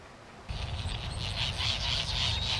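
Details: White terns (Gygis alba rothschildi) at Midway Island in 1999, recorded with a Sony VX1000 camera: after half a second of quiet, a rapid series of harsh, buzzy chattering notes starts, over a steady low rumble of wind.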